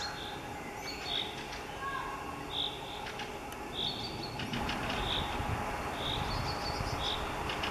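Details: Eurasian nuthatch in Minsk on 1 May 2021 gives short, clear, high piping notes, one about every second and a half, over a steady rush of traffic-like background noise.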